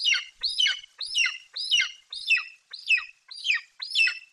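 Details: Golden eagle youngster branching in the nest tree in Bucovina, July 2021, screaming with excitement at its mother arriving with magpie prey. Steady high, hoarse, downward-sliding screams, about two per second, with no other sound.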